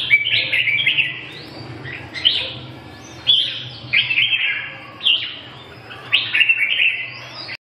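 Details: Red-whiskered bulbul delivering loud, clear whistled phrases about once a second, each starting with a rising slur then dropping into rich warbled notes, over a low background hum.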